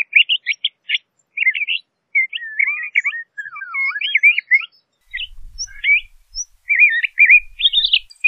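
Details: Varied song of a LeConte's thrasher: jumbled phrases of rapid chirps, down-slurred whistles and scratchy warbles, some notes dipping lower mid-sequence, delivered in bursts with short pauses; faint low rumble near the end.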